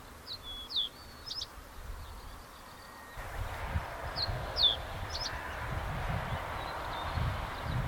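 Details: Common reed bunting in Hokkaido, Japan: two brief bursts of high, thin notes about four seconds apart, each a few sharp downslurred chips ending in a quick trilled flourish, over steady wind rumble.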